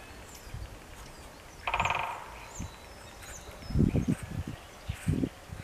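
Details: Woodpecker drumming on 27 March 2018 at 11:46, one bird calling to another: a single short, rapid drum roll with a ringing, resonant tone, set against low rumbling wind noise and faint distant chirps.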